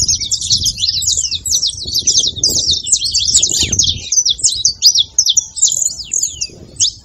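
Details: Song of a saffron finch, used to stir a quiet canary into singing: fast high twittering phrases that are dense at first, then thin into spaced, sharp chirps toward the end, over a soft low background hum.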